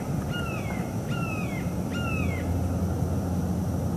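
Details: Morning at a northeast Florida bald eagle nest, 25 October 2021, where a mated pair vocalizes after mating, heard through a live camera: three thin, high whistled notes, each slurring downward about every 0.8 seconds, over a loud, steady rushing background.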